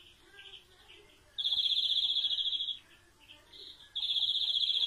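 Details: European greenfinch delivering a long, even, rattling trill, then softer twittering notes before another loud trill begins.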